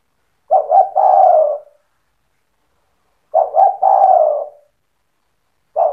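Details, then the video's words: Spotted dove in cetretan-style song that is meant to goad other doves into singing along: low coo phrases repeat roughly every three seconds, each of two quick notes and a long falling coo, with a third phrase just starting. "Suara burung tekukur gacor cetretan bikin deruk tekukur derkuku balam lain emosi ikut bunyi"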